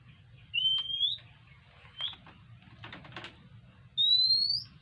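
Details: Oriental magpie-robin begging for food: clear rising whistled notes, the first and last long and sliding upward, with a few softer clicks and scratchy sounds between them.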